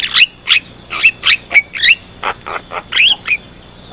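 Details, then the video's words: Javan myna song used to attract other mynas and to tutor caged birds. Quick squawky, wheezy notes with twisted whistles, about two to three per second, over a thin constant high tone. "suara jalak kebo , bisa untuk pikat sangat ampuh"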